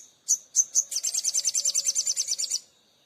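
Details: Oriental magpie-robin in lively song: three separate piercing high notes, then a rapid, even trill of sharp high chirps lasting about one and a half seconds before stopping; a faint low steady hum underneath.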